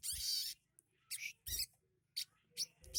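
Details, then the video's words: A sunbird kept at home sings imitations of other birds like sparrow and prenjak lumut. It opens with a long harsh buzzy note, then gives short scratchy high chirps spaced through the rest. "Burung sogok ontongku yang kicaunya isian seperti gereja,prenjak lumut/cieng dll"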